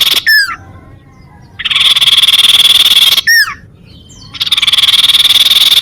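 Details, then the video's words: Sunbird song used as a lure for birds and rivals: two looping down-slurred whistles, each followed by a long, steady buzzy trill lasting about one and a half seconds. "suara burung sirtu cipow"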